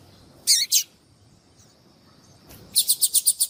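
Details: Female yellow-bellied seedeater calling to attract males, used to stimulate singing in males; high thin notes, a pair of short bursts followed by a rapid series of about six sharp chips.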